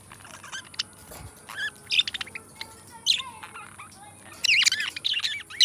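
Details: Pair of companion budgies singing and chattering; rapid, varied sequences of squeaky chirps, clicks and rising whistled notes, busiest toward the end, over a low steady hiss.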